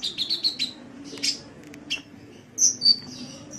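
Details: Sunbird (kolibri), Indonesian songbird training recording: a quick run of five high chirps, a buzzy squeak, then two piercing whistled notes near the end, over a faint low hum.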